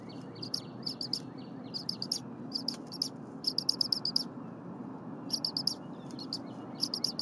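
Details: Very vocal eaglet at the Berry College nest in January 2022, crop full, calling as its mother readies stiff prey from the pantry. Thin shrill peeps in irregular rapid groups over continuous low background noise.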